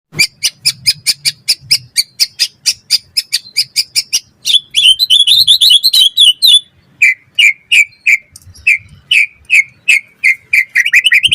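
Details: White-rumped shama (murai batu) singing energetically, used as a lure and tutor song: a fast run of sharp repeated high chips, a burst of buzzy warbling, then clear upslurred whistles repeated about every half second.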